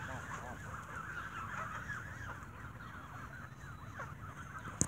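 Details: Geese squabbling while being fed bread at an evening feeding, a dense overlapping chorus of short nasal honks and squawks with no pauses, and a faint low rumble beneath.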